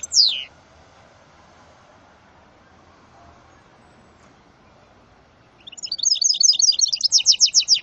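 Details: A goldfinch and canary hybrid (male goldfinch × female canary) gives one sharp descending note, falls silent for several seconds, then starts a quick high twittering trill.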